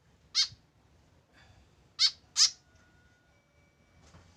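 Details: Lone tame white-breasted woodswallow without a companion: three rasping, high nasal calls, a single call followed by a close pair, with soft room noise and a faint tone.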